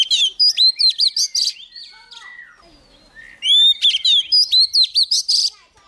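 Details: Energetic song of a young Oriental magpie-robin with a wild bird nearby: a dense stream of sharp whistled and chattering notes, a softer lower interlude, then another loud run of quick varied notes.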